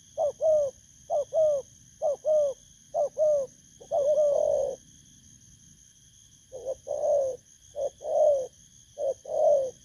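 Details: A spotted dove (thổ cấn), newly caught from the wild and used at a trapping decoy, gives rapid runs of short double coos. Then comes a longer, drawn-out hoot and a pause, and the cooing resumes. A steady high-pitched hum is heard in the background.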